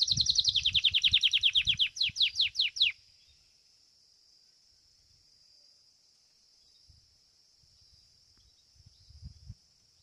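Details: Domestic Belgian canary singing at a competition in fibra style: about three seconds of fast high trilling breaking into a few falling strokes, then near silence with faint low background thumps.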